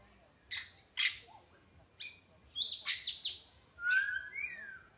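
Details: Zoo parrots at Entebbe, Uganda, calling in short harsh bursts and chirps. The calls are spaced unevenly, ending with a steady whistled note that slides into a short rising whistle.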